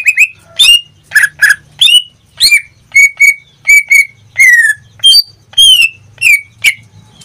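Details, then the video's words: Pet greater green leafbird in full song: a mix of harsh, buzzy bursts and clear, level whistles, some notes sliding down, delivered at an uneven pace of about one to two per second. "Suara cucak ijo suaranya tidak diragukan lagi"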